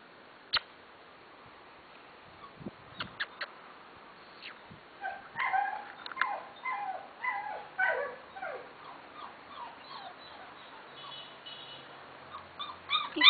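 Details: Litter of black and golden Fila Brasileiro puppies, males and females, whimper and yip in short, high, wavering cries that come in overlapping bursts.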